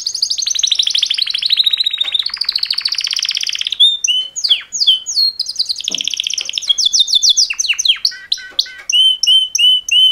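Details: Male canaries in a mating call song: a long quick trill for nearly four seconds, then sweeping chirps and fast note runs, closing with evenly repeated whistles.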